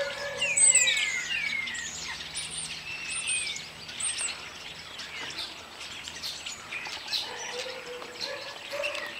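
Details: Chorus of starlings in full song on a warm summer's day in Ireland, a busy tangle of falling whistles, rattles and high squeaky notes, with low droning and a short low whistle near the end.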